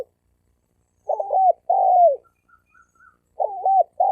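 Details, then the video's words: Challenging wild male spotted dove, 2020, used to provoke males to fight: stuttered coo then long falling coo, a few faint short notes in the gap, and the phrase starting again. "Tiếng chim cu gáy bổi đấu bổi"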